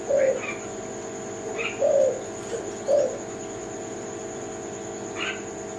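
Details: Tekukur of the Kelantan variety, a spotted dove, uttering three brief low coos about a second apart, followed by quiet, with a few faint higher chirps from other birds and a steady high electrical tone throughout.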